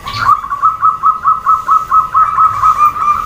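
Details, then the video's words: Female zebra dove calling, meant to set males and other doves answering; a continuous run of quick, bubbling coo pulses at one steady pitch, about two per second. "SUARA PERKUTUT BETINA, BIKIN PEJANTAN DAN OMBYOKAN SALING SAUT"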